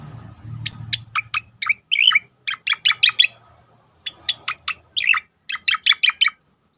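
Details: Cicakoreng (striated grassbird) in tembakan song used to train and provoke other birds: dense bursts of sharp falling notes with warbled twisting phrases, in two main runs after brief low rumbling at the start.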